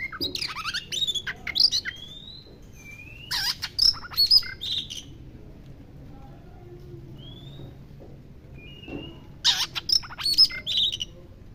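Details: White-rumped shama singing while bathing; bursts of sharp rich notes, fast rattles and sweet whistled slurs, with pauses between phrases and single clear rising whistles in the gaps; low background rumble.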